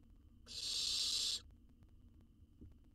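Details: Owl nestling fed a jird in a wild research nest box in Israel: one sustained, loud, rasping hiss of about a second, followed by quiet background hum and a faint tap.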